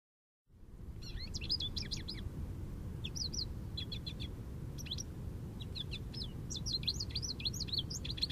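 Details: American goldfinch singing jubilantly in an Eastern Red Cedar: rapid, varied twittering of high, bouncy whistled notes and sweet slurs in loose bursts, with short pauses between phrases over a steady low rumble of background noise.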